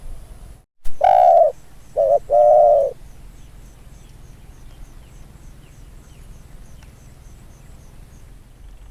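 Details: New trained decoy Spotted Dove coos during field training: one long coo followed by a short note and a longer coo, then several seconds of quiet outdoor background with faint ticking.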